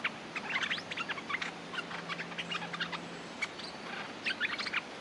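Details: Streak-eared bulbul, a territorial male ready to fight, on a lure recording: bursts of short, bright chirping notes in quick clusters, with brief pauses between groups, over a faint steady low hum.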